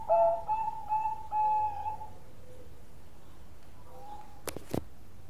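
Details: Bangkok-type zebra dove in active, long-voiced song: a few soft, hollow coo notes in the first two seconds, then quiet with a brief cough-like note and two sharp knocks near the end.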